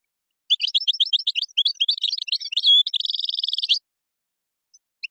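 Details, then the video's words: Goldfinch from Morocco singing qazarat and srrr bartbartio: a rapid series of repeated clipped chirps, a brief twitter, one drawn-out whistle, then a long, very fast metallic trill of identical notes, ending in silence. "تغريد مغربي ڨازرات + سررر برتبرتيو canto jilguero marocco"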